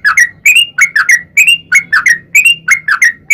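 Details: Sooty-headed bulbul with a fighting-style lure song for provoking other bulbuls: paired whistled notes in quick bursts, slightly slurred upward, over a faint low rumbling background.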